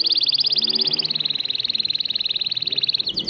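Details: Syrian local canary singing, a recording meant to teach and motivate chicks to sing: a loud, fast, even trill of high buzzy notes that shifts slightly lower midway, then ends with a few separate chips.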